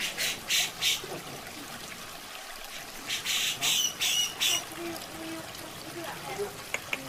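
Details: Harsh, squawking bursts from a grey-cheeked bulbul, known locally as cucak jenggot, in a masteran recording: paired rasping notes, a pause, then a cluster of three more, over steady trickling water.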